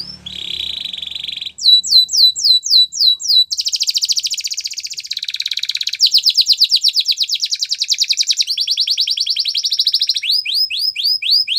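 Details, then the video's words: Canary song for training a Gloster: a whistled trill, upswept chirps, buzzy rapid rattles and steady trills in changing tours, ending in a run of rising notes. "Gloster Canary Training | Canary Bird Sounds"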